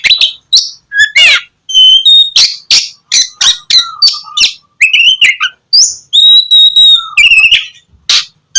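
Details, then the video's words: Oriental magpie-robin (kacer) in full 'gacor' song, played as a lure to get lazy magpie-robins singing in the morning; loud, varied phrases of sharp whistles, rising and falling slurs and buzzy notes in quick succession, with short pauses between bursts. "KACER GACOR cocok buat pancingan kacer malas bunyi dipagi hari"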